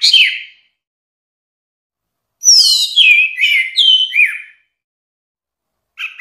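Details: Song of the orange-headed thrush, recorded as a training track for caged songbirds: a brief whistle, then a flowing string of descending slurred whistles and chattering notes lasting about two seconds, followed by silence and a final short note.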